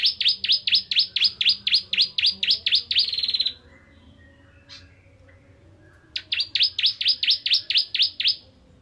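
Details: Bar-winged prinia (Prinia familiaris) song: a fast run of about twelve sharp, high, down-slurred notes ending in a brief buzzy trill, then a pause and the run again.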